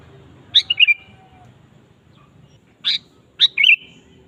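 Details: Eager Sooty-headed bulbul song, used as a provoking lure for a kept bulbul; an opening phrase of a sharp note and liquid warble, then after two seconds two more bright notes ending in a short burble.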